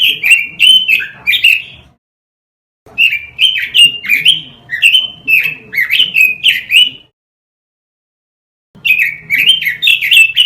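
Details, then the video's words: Masteran lure recording of a robin for caged-bird training: three bursts of fast warbling, with looping, rising and dropping whistled notes, separated by brief pauses. "Masteran suara burung ROBIN"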